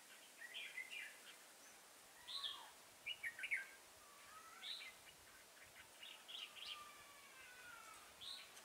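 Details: Red-whiskered bulbul used as a caged decoy bird sings clear, lively chirped notes in short bursts with a few thin rising and falling whistles between them, against a soft noisy background.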